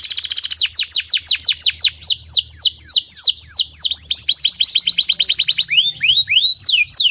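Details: Canary song used to prompt other canaries to sing; loud rapid trill of repeated downward-sweeping whistled notes, about three per second, shifting to slower, lower swooping phrases near the end.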